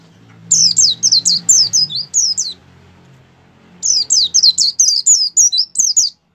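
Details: A kept white-eye delivers two long gacor phrases, each a quick chain of thin, very high descending whistles lasting under two seconds, over a low background rumble; recorded to stimulate other white-eyes to sing.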